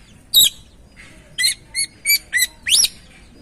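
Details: Oriental magpie-robin singing as a lure to prompt another bird to sing again: one sharp rising note, then a quick run of short clear whistled chirps and an upward slurred whistle, in quiet surroundings.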